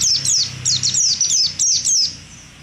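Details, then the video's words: A contest-winning white-eye (pleci) sings a rapid run of high, thin, descending chirps in quick bursts, about two per half-second, with no other sounds. "Suara burung pleci ngalas jarawa"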